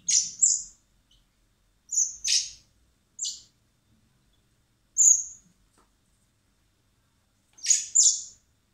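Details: Hand-fed in spring at a wildlife recovery centre before release, common blackbird chicks give shrill high begging squeaks, often doubled, in clusters with a gap of about two seconds before a final pair.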